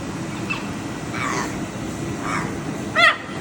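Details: A blue macaw gives one short, loud, harsh squawk near the end, after a few fainter, rougher calls, over steady background noise.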